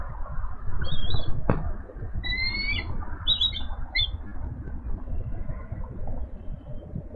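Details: Mother eagle calling loudly from a branch off-camera in support of the father, who chases a squirrel away from the nest holding two young eaglets; Minnesota, 4 April 2018, 12:09 pm. Thin, high, chittering squeals in short bursts over heavy wind rumble.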